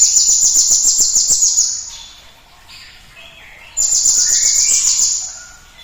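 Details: Cinereous tit singing vigorously in a lure recording meant to spur other birds: a shrill, fast-pulsed trill of about two seconds, a quieter stretch with faint lower chirps, then the trill again.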